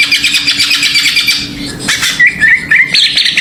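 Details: Greater green leafbird singing as a lure to rouse other birds: a scratchy, rapidly pulsing chatter gives way to short wavering whistles, then a harsh buzzy burst at the end.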